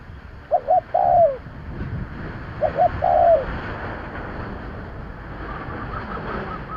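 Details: Spotted dove decoy call: two phrases of paired short coos and a longer falling note about two seconds apart, then a stretch of steady hiss like wind or surf.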